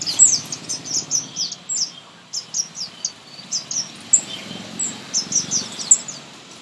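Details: Common Indian sunbird in a garden giving its loud high-pitched song, a steady run of thin descending chips and sharp squeaky notes, some in rapid pairs, continuing throughout with faint low background hum.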